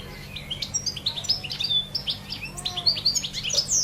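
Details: European goldfinch singing in nature: quick tinkling, twittering phrases of high bright notes with buzzy slides, delivered in a fast jumble over a steady low hum.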